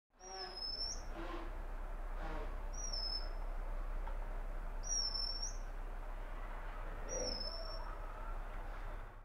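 An Oriental magpie-robin gives four high, clear whistled notes, each slightly rising then falling, about every two seconds, over a steady low hum and faint voices.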